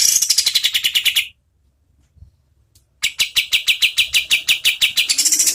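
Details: Oriental white-eye (kapas tembak) as competition-bird tutor song, with a rapid run of high chips sliding slightly lower, a pause of nearly two seconds, then a long, steady rattle of sharp, ringing notes.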